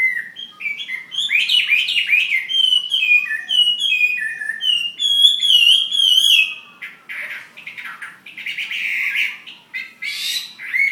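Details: Chinese hwamei fighting bird, Ha Giang, Vietnam: long flowing run of varied rich whistles and quick trills, followed by rougher chattering bursts and a few last rising notes.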